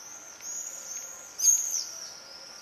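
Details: Common swifts inspecting nest boxes in Leuven, 4 July 2015, recorded from a living room: a steady high shrill screaming band, then one louder brief scream at about midway, with faint hiss.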